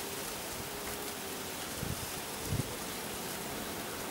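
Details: Steady hiss like rain or rushing water, with a couple of soft low thuds, and no animal voice.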